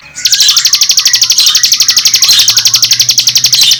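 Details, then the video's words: White-rumped shama (murai batu) song used as filler training to raise a bird's excitement: a fast, loud rattling trill of high buzzy notes, about four per second, held steady for several seconds. "Suara,murai batu ,Untuk isian,naikkan Emosi."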